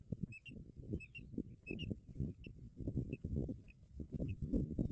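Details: Osprey at its nest in Barlinek Forest, 17 April 2022, as a strange osprey visits: quick short chirps repeated irregularly, fairly faint, above loud low thumping and rumbling noise.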